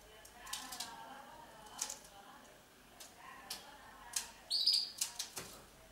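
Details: Red factor canary, a female building her nest, gives one short high chirp near the end, amid dry clicks and rustling from nest work.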